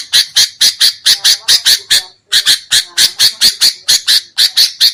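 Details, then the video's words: Sooty-headed bulbul calling on a trapping lure track: a steady rattle of loud, rasping chirps, over two per second, in two long runs split by a brief pause. "SUARA PIKAT BURUNG KUTILANG"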